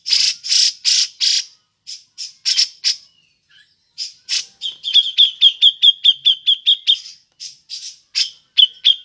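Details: Black-crested bulbul calling, a recording used to lure other birds; harsh buzzy chattering bursts, then a quick run of sharp repeated chips about three per second, with further scratchy notes.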